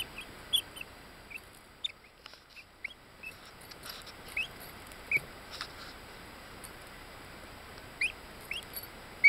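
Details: Bantam Orpington chicks, buff laced black, ten days old, recorded in Binzen in May 2013: thin, high, upward-sliding peeps come irregularly, with faint ticks and a steady hiss behind.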